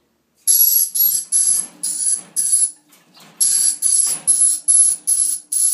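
A dusky lory gives harsh, rasping screeches in quick bursts, about two a second, with one brief pause midway; nothing else is heard.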